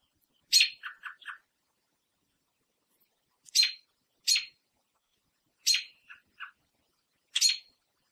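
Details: A female American robin, perched on a backyard fence in Southern Ontario, Canada, gives sharp, high alarm squeals trailed by quick lower clucks in bursts every second or two, alarmed at a person too near her window-ledge nest holding three eggs.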